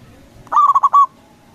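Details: A single phrase from a loud local zebra dove, used to prompt replies from other doves: four or five fast cooing notes running into a longer held coo, then quiet.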